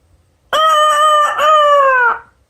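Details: Cockatoo imitating a rooster's crow: one drawn-out, strongly harmonic crowing call of about a second and a half, held fairly level with a brief break midway, then sliding slightly lower at the end. Quiet background.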